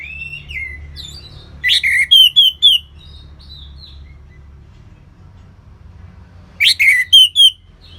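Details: Ngeplong-style song of the orange-headed thrush, North Bali: a descending whistle, then two matching loud phrases five seconds apart, each a harsh burst followed by three or four quick, clear rising notes.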